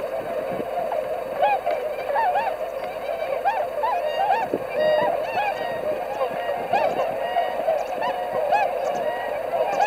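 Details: Flock of swans on 22 February 2019, ahead of the northward migration, calling constantly: many clear, ringing honks with bright overtones overlapping one another throughout, a lively crowded chorus.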